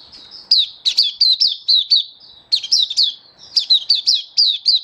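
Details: Caged oriental white-eye (mata puteh) singing a display song: rapid high sweeping chirpy notes in bursts of several, repeated after short pauses, with no other sounds.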